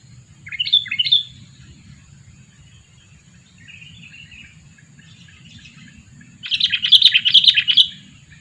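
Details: Two-year-old sooty-headed bulbul used to lure birds: two sharp whistled notes, a long quiet stretch with faint soft calls, then a loud, busy burst of chattering notes.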